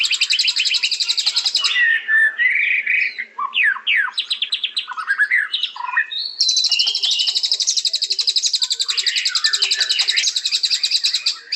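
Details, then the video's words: Varied song of a white-rumped shama: a rapid high rattle, then rich, lower, slurred whistles and falling notes, followed by a long, fast, ringing series of repeated high notes lasting several seconds. "Beautiful Birds Chirping Murai Batu"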